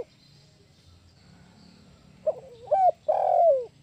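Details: Spotted dove used as a lure call for trapping: a short run of low, hoarse coos that dip and bend, with a louder drawn-out final note, over a low steady hum.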